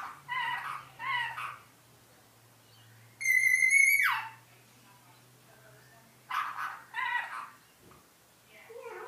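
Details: Rainbow lorikeet imitating iPhone ringtones: chattering bursts, then a bright electronic-sounding tone that drops in a steep downward sweep, more chatter, and a low steady hum underneath.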